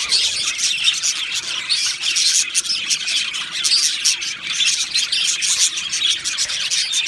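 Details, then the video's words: Two male Australian budgerigars chirping: a dense, continuous stream of high, rapid chirps and warbled twitters, with steady loudness and no pauses throughout. "2 Male Budgies Birds Sounds | Australian Budgies Birds chirping sounds"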